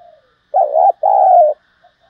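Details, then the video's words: Cooing spotted dove, a voice used for exciting decoys and training lure birds; two loud, low, hollow coos back to back, the first wavering and the second longer and level, after a faint soft note. "tiếng cu gáy giọng hay dùng kích bổi và tập mồi hiệu quả nhất năm nay"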